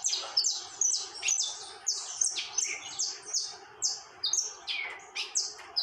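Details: A saffron finch sings without stopping, rapid, piercing, slightly descending chirps in a steady jumble, a few lower slurred notes mixed in.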